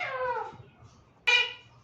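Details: Pet female Alexandrine parakeet talking, repeating the word "mithu": a harmonic, falling, voice-like phrase, a short pause, then a sharp, bright second syllable, indoors.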